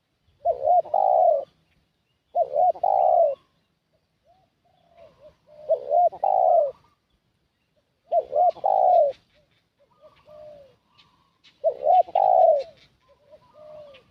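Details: Spotted dove cooing to lure wild doves: five loud phrases, each two clipped notes followed by a long coo, repeated every two to three seconds, with soft fainter coos in the gaps.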